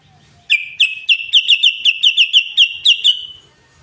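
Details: Sooty-headed bulbul in chattering song, locally called ngoceh or ngeriwik: a quick run of about a dozen bright, clipped chirps repeated almost twice a second, each note sharp and fairly even, over a quiet low background.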